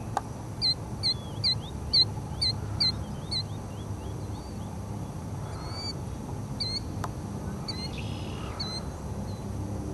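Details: A feeding Wilson's phalarope at Peacock Marsh on 28 April 2010 gives short, nasal, slightly rising notes in a quick run of about eight, then scattered single calls over a low background rumble.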